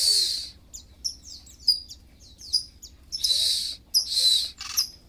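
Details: Oriental magpie-robin in breeding condition with puffed plumage, singing high, thin whistled notes and quick slurred chirps, mixed with hissy broadband bursts over a faint low hum.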